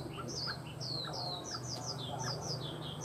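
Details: Tame Chinese hwamei repeating thin, high, downslurred whistles in a steady series, over a constant low hum.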